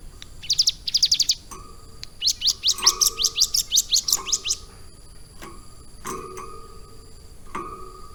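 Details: Caged hill prinia, a captive bird kept about three months and tutored to copy lovebird song, gives bursts of rapid high buzzy chirps, two short clusters then a longer run of about ten notes, over a steady electrical hum with occasional clicks.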